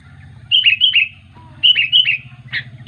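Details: Sooty-headed bulbul calling its companions: two bursts of bright, bubbly three-to-four-note phrases, each note dipping slightly in pitch, then a short extra note near the end, over a steady low hum.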